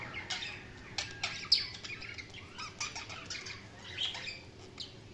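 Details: Budgerigars chirping with scattered sharp clicks, squeaks and buzzy warbled notes at a moderate, uneven pace, quiet between bursts.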